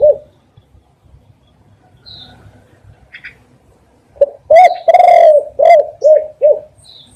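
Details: Spotted dove cooing, played as a lure for catching doves: quiet faint chirps at first, then after four seconds a loud burst of short hooked coos around one long drawn-out coo, ending in three quick repeated coos.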